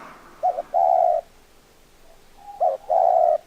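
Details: Spotted dove calling twice: each phrase is a brief clipped coo then a long, steady, mellow coo, repeated after roughly two seconds.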